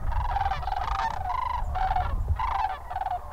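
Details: A flock of sandhill cranes at Goose Pond Fish & Wildlife Area, Linton, Indiana, on the evening of 28 January 2021 as they prepare to roost, gives overlapping rolling, trumpeting rattles in bursts about every half second over a low wind rumble.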